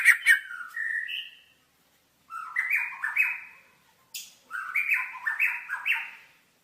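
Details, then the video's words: Murai batu song from a master training recording: three separate bursts of mellow whistled notes stepping up and down in pitch, each introduced by a sharp high click, with clear pauses between bursts. "Masteran Suara Burung Murai Batu"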